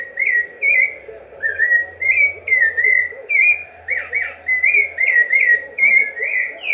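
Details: Rufous-bellied thrush singing the "vovó viu" pattern, loud clear whistled syllables repeated in quick succession, each a short bent note, the series continuing steadily throughout.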